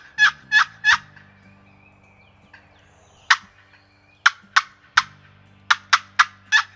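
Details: Wild turkey toms with long beards gobbling during a spring turkey hunt: three loud, rattling bursts in quick succession, a pause, then a scatter of further sharp gobbles, with a low steady hum beneath.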